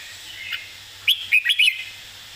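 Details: Red-whiskered bulbul giving a clear, emphasized master-song phrase: a soft note, then four quick, bright, slurred whistles in rapid succession over a steady low hum.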